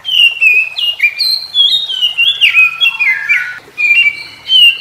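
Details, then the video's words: Energetic morning song of an Oriental magpie-robin answering others of its kind: continuous loud, clear whistles and slurred notes rising and dropping quickly, mixed with harsher squawky accents. "Kicau KACER Pagi Hari KACER Lain Denger Langsung Ikut GACOR Nyaut Koar Koar"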